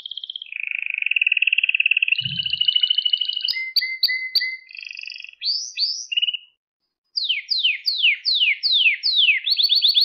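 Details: Canary song meant for training young canaries to sing: a long buzzy flat trill, clipped paired notes, curved whistled slurs, a short pause, then loud repeated down-sweeping notes.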